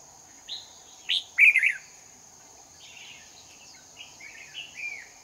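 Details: Competitive singing by a lure red-whiskered bulbul at a trap in Hòa Bình, 18 November 2019. Scattered sharp notes lead into a loud, rich warbled phrase, then softer chattering notes trail off, with a steady high hum throughout.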